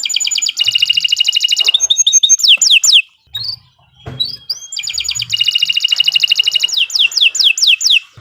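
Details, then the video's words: Canary, Kenari Nusantara, giving long song for young birds to copy: two bursts of fast pulsed trills, each ending in falling whistled sweeps, separated by a short pause with a few thin whistles. "Kicau Burung Kenari 103 II GACOR PANJANG Cocok untuk Masteran"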